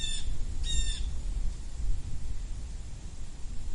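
A blue jay gives two harsh, nasal jay notes in quick succession, each slightly falling, over a steady low rumble of wind.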